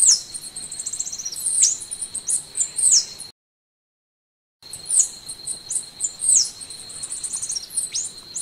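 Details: High, thin twittering song of a golden-winged sparrow, trills of fine notes punctuated by sharp downslurred chirps, in two bursts separated by silence, over a steady high whine.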